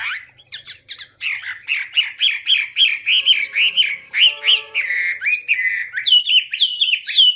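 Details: Chinese hwamei delivering a fast run of looping whistled notes, each rising and falling, repeated several times a second, later switching to a higher, thinner note series; quiet background.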